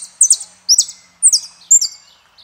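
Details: Saffron finch, El peregrino song style: four evenly spaced bursts, each a high sweeping note dropping into a buzzy trill-like tail, separated by short pauses.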